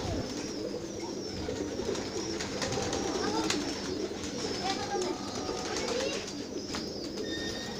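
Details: Domestic pigeons in a rooftop loft, deep throaty cooing from many birds blending into a constant low hum, punctuated by brief clicks and a few thin higher notes.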